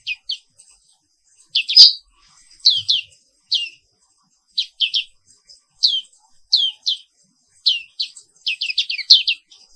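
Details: Indonesian black-capped white-eye singing in the morning: steady sequences of high, quick chirped notes, one sharp whistle near the start and a dense burst of twitters toward the end.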